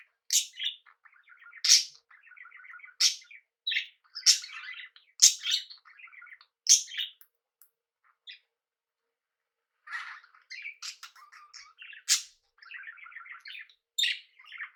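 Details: Pet budgerigars kept together with cockatiels, chattering indoors: soft scratchy warbled phrases between loud sharp rising chirps that repeat about every one to two seconds, with a short pause near the middle.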